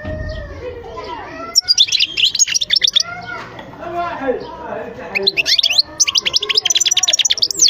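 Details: European goldfinch song: two fast runs of bright, tinkling twitters and trills, separated by softer, lower warbled notes.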